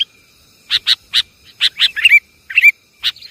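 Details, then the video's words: Sooty-headed bulbul lure call: spaced sharp chips in pairs and singles, broken by two short bubbly gurgling phrases, with quiet gaps between notes. "Suara pikat burung kutilang"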